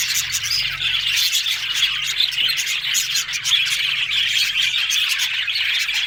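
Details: Constant high-pitched budgerigar chatter from several birds, a mix of soft warbles, squeaks and quick chirps overlapping in a steady stream.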